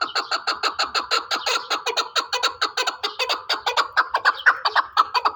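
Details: Pamir chukar partridge in a sustained, regular run of loud, throaty chuk notes, about two to three per second, steady from start to finish.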